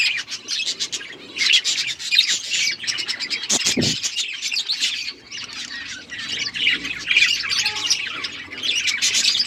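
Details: Pet budgerigars chirping and chattering together, a dense continuous stream of high warbling chirps and squawks with a brief low thump near the middle.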